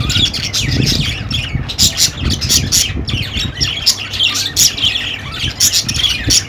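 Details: Budgerigars chattering: a dense run of scratchy warbles, chirps and harsh squawks, several birds overlapping with brief pauses between bursts, and a faint low rumble underneath.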